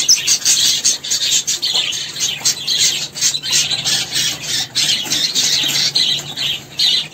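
Caique giving harsh, grating squawks and screeches in quick, overlapping bursts throughout, with a faint low hum underneath.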